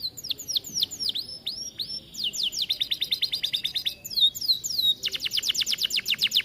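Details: Atlantic canary in an aviary in full, energetic song used as a tutor song: a series of curved whistled notes, then fast trills at shifting pitches, with a short high twitter before a final rapid rolling trill.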